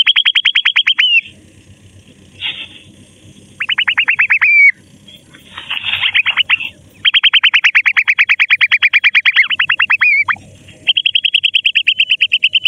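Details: Grey francolin chicks playing in mud: long, loud trains of rapid, metallic chirps, some series ending in a falling slur, broken by short pauses with softer scuffling and scattered notes.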